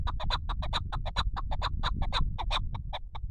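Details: Chukar partridge giving a rapid, steady series of harsh, clucking chuck notes, roughly six per second throughout, with low rumbling noise underneath.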